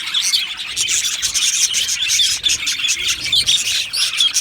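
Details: Many budgerigars calling together in an aviary, rapid high chirps and warbles layered densely, loud and continuous with brief dips in volume.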